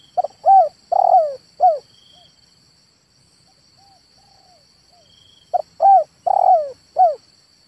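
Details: Male spotted dove calling: a four-note cooing phrase of short arched hoots, the third longest and roughest, given twice about five seconds apart, with a steady high whine of insects behind.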